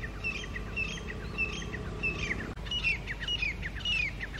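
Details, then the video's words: Grey francolins on high rocks in early morning, October 2022, with two groups calling loudly to challenge each other over territory, give sharp, ringing notes a little under twice a second, some with a quick upward slur, over a low background rumble. "GREY FRANCOLINS Loud sounds | Teetar birds FIGHTING Sounds"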